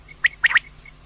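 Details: Female common quail giving one quick three-note burst, a single sharp note followed by a tight pair, flanked by faint thin pips over a low steady hum.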